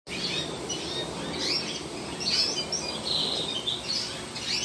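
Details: Yellow-beaked canaries in an aviary giving bright, high chirps and short twittering phrases that overlap in several bursts, with a steady low background hiss.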